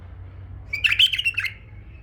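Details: Tame male bulbul singing one quick, rich phrase of tumbling warbled notes, a short burst under a second long ending in a trailing whistle.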